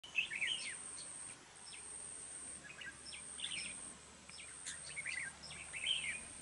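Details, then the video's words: Caged red-whiskered bulbul kept as a trapping and fighting decoy, described as singing often with a harsh voice, in Đồng Nai, Vietnam. Short, fast warbled phrases recur through the clip over a steady high-pitched whine and faint insect noise. "Bẫy đấu chào mào vip | nhậy đuôi xoè mềm , siêng mỏ giọng gắt , hay bung xoè"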